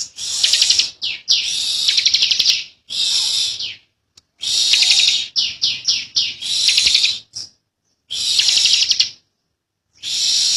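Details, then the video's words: Bar-winged prinia, locally called ciblek, an Indonesian endemic, singing in the persistent, long, tight ngebren style: shrill, high, buzzy rattling bursts lasting one to two seconds, broken by short stuttering notes and brief silences. "Ciblek Kali | Cikal Super Ngotot Ngebren Rapet Panjang"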